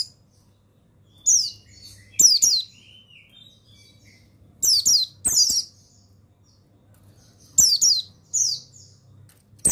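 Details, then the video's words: Song of a mountain white-eye, pleci buxtoni, played to train and stimulate other caged pleci into singing: high, sweet twittering phrases of fast down-slurred notes in clusters about every three seconds, with brief clicks between. "Begini Suara Pemasteran yang Untuk Pleci Bustomi Bahan Bikin Burung Pleci Bustomi Gacor Ngalas"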